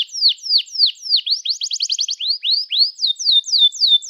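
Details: Chirping 'gacor' canary song, used to stimulate young and non-singing canaries. Repeated sharply descending whistles about three per second, broken by a quick rattling trill, then more swooping falling notes ending on a steady tone.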